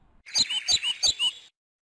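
A brief, high, rhythmic phrase of about six sweet notes, alternating sharp and slurred, roughly three per second, from a European pied flycatcher; nothing else is heard.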